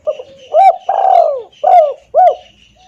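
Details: Lure call of a spotted dove for attracting wild doves, loud and clear: a short coo, a long descending coo, then two more short rounded coos, with a faint steady high whistle throughout.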